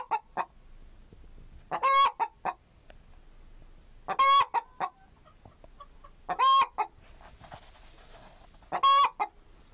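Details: Chicken calling with loud harsh squawks roughly every two and a half seconds, each flanked by a few short clucks, against a quiet background.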